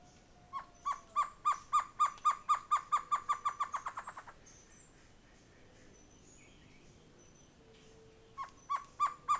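Great Antshrike: a quick run of about fifteen hollow, mid-pitched hooting notes that speeds up and swells, then stops. A second run begins near the end.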